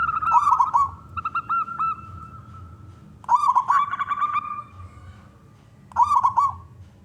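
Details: Local wild-type zebra dove, a keen singer with a big voice, used to lure other doves: three trilled cooing phrases of rapid staccato notes, the middle one longest, with scattered short coos between.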